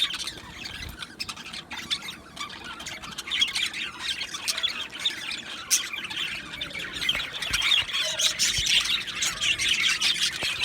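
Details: Two male Australian budgerigars chirping; busy, continuous high chatter of squawks, warbles and short chirps, growing louder and denser in the second half.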